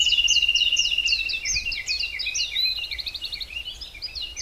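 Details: Birdsong in the Hallerbos forest near Brussels, Belgium: rapid high chirping notes in quick succession overlapping a long, thin, even trill, several birds layered together over faint background noise.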